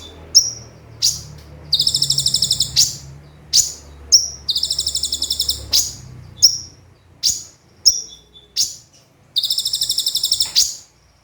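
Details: Tutor recording of a konin (brown-throated sunbird) in combined mimicry song, repeating high rapid buzzy trills between sharp single chips over a steady low background hum.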